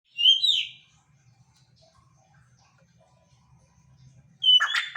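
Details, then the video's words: Quail calling actively: a short burst of high, slurred chirping notes at the start, a long quiet gap, then a second loud, rough burst of high notes at the end. "burung puyuh gacor"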